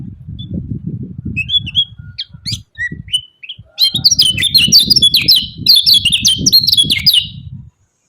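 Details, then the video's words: Yellow-vented bulbul calling 'ciak ciak' to goad rival birds: a few sparse high chips at first, then a dense, rapid burst of sharp chirps, with low rumbling and knocking throughout. "CIAK CIAK JOSS KECIAL KUNING BANGKITKAN EMOSI LAWAN"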